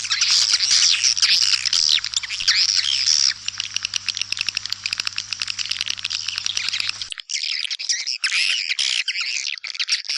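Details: Lure call for white-nest swiftlet houses, tested in East Kalimantan: busy high-pitched twittering and clicking chirps, with an abrupt cut partway into a slightly different chirping stretch.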